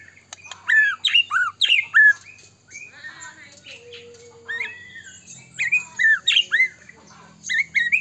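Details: White-rumped shama, kept as a cage bird, singing to provoke rival shamas; loud downslurred whistles and squawky chips in fast groups, a quiet stretch with a steady low tone, then the phrases resume.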